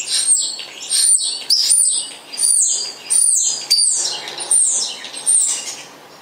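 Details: Spotless starling delivering a run of loud, very high whistles, each sliding downward, repeated roughly every half second to second, interleaved with buzzy, rasping fragments.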